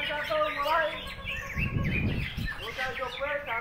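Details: Greater green leafbird at a songbird contest on a Monday afternoon, 11 July 2022: a varied run of bright, warbling, wavering notes, with voices chattering in the background and a low rumble passing midway.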